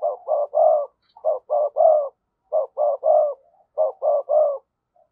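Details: Spotted dove decoy bird calling to lure, in the style called giọng thổ; four cooing phrases, each two short low notes then a longer throaty coo, repeated roughly every second with short pauses, nothing else heard.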